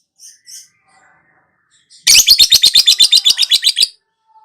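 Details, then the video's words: Lovebird chattering in long ngekek style: faint twitters, then a steady, fast, harsh rattling trill of about fifteen notes over nearly two seconds. "KICAU TERAPI BURUNG LOVEBIRD LANGSUNG NGAKAK NGACOR NGEKEK"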